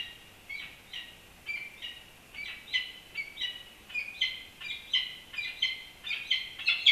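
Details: Peregrine falcon nesting atop the historic Campanile at UC Berkeley, live nest camera; harsh, raspy calls repeated in an uneven series, growing louder and closer together toward the end.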